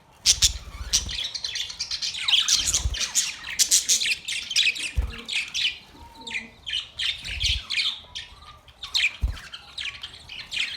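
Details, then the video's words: Steady chatter of Australian parrots: busy, high scratchy chirps and squawks overlap throughout, broken by several dull low knocks spaced a few seconds apart. "Australian parrot Beautiful birds chirping sounds"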